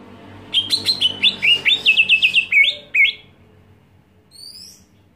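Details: Greater green leafbird screaming to provoke other leafbirds: a run of about fourteen sharp chirps and slurred notes over two and a half seconds, then quiet with a faint high whistle.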